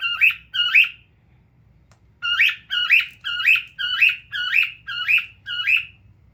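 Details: A pet cockatiel kept indoors, sitting while looking at itself. Two quick chirps are followed by a silent gap, then a run of seven similar bright, squawky chirps, roughly two per second. There is no other notable sound.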